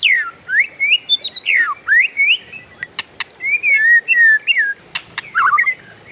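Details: Oriental magpie-robin, a kept bird, in noisy long rolling song that other birds join: clear whistled phrases, swooping up and down, broken by sharp clicks, with short gaps between bursts.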